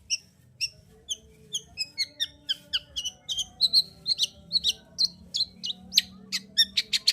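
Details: Long-tailed shrike song meant to rouse a reluctant shrike to sing: varied short whistled and chipping notes, starting spaced and becoming faster and denser, ending in a rapid run of bright notes.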